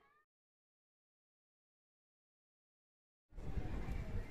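A faint voiced fragment at the start, then silence, and finally a loud, steady, low rumbling noise like road traffic or wind, with no animal sound.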